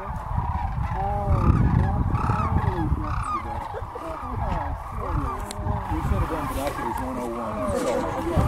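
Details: Crane flock on the playa at Wilcox, 26 January 2019. A dense, continuous chorus of rolling, trumpeting calls from many birds overlaps throughout, with a heavy low rumble underneath.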